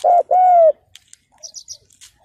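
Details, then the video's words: Decoy spotted dove on the ground calling to draw in wild males: a short hollow coo followed by a longer, slightly falling coo, then quiet with faint high chirps from other birds. "CHIM CU GÁY MỒI ĐẤT KÍCH BỔI CỰC SUNG"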